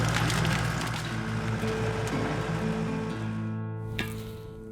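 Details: Music with low steady tones and a rushing, watery background; no animal calls stand out.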